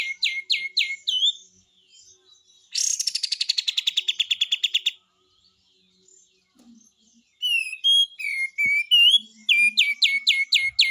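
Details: Kapas tembak, the cream-vented bulbul, giving energetic besetan song: quick downslurred chips, then a two-second rapid stuttering rattle falling in pitch, a pause, then varied whistled slurs and more fast chip runs.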